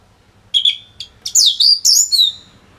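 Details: Orange-headed thrush (Geokichla citrina) in full, vigorous song, a quick run of high, sweet whistled and chattering phrases, tightly packed with brief pauses, over a faint low hum, used as tutor song for other birds.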